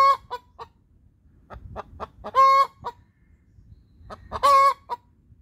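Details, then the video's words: Hen laying song with a run of short staccato clucks rising into a loud drawn-out squawk, repeated twice, each squawk trailed by a quick clipped note. "Inyue victory hen laying song"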